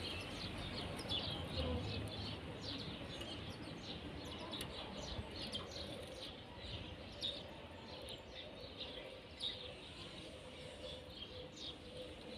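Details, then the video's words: A caged pair of European serins: a steady stream of fast, high, jingling notes repeated about twice a second over a low background hum. "طائر البسبوس في القفص_serin cini en couple dans la cage"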